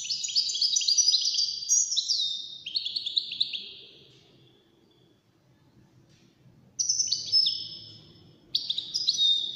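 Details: European goldfinch, wild-caught, in a song competition among five birds: a long rapid stream of tinkling, high chirps, then near silence for about three seconds, followed by two more short twittering bursts.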